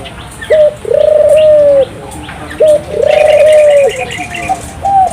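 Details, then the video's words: Turtle dove song played to stimulate local doves to sing: low drawn-out coos, a short note followed by a long level one, repeated twice, with faint higher chirps from other birds. "suara burung puter gacor, merangsang burung puter lokal ikut gacor"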